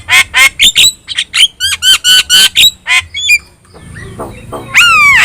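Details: Yellow-eyed Javan myna used as a song tutor for other birds, delivering a fast string of about a dozen harsh, evenly spaced squawks, then quieter chatter and a loud falling whistle.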